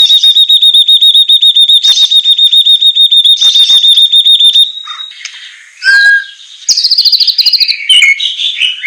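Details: Captive white-rumped shama training song in semelet style with rough bursts: a long, very rapid, steady trill of high ringing notes lasting several seconds, then mixed whistles, sweeps and another fast rattling series.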